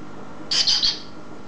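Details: Green pet eclectus parrot vocalizing: three quick, rasping, high squawky syllables in under half a second, then quiet room hiss.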